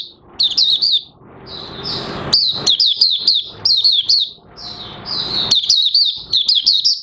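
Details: Oriental white-eye starting to sing, recorded 30 August 2022 with its new white feathers nearly pigmented; high, lively twittering phrases of slurred chirps, some introduced by a drawn-out thin note, with faint background noise.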